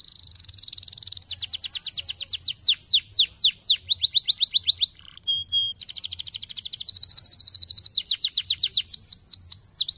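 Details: Stimulating song of canaries for lazy birds: a buzzy opening, long runs of quick downslurred whistled notes, brief steady tones, then a rapid trill and sweeping phrases, all loud and continuous over a low hum.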